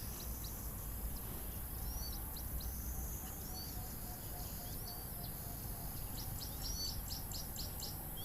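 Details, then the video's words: A reference recording of a very unusual Cape Teal call: thin, high, squeaky whistles in short bursts, some falling and clustering near the end, over a steady low rumble of wind and background noise. "This is a very unusual call of the Cape Teal."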